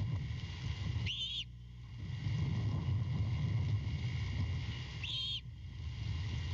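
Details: Great horned owl owlet at night on the nest support branch as its mother returns with a rat after over five hours away; two raspy, hissing screeches about four seconds apart over a steady low rumble.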